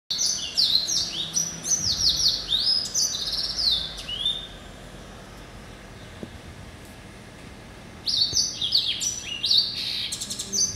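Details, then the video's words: Male hybrid finch, a yellow-eyed canary crossed with a Timbrado, hatched November 2012 and kept as a pet, sings fast high twittering phrases of sliding whistles and trills, pauses for several seconds, then resumes with bright chattering notes. "Hybrid Finch ...Yelloweye & Timbrado"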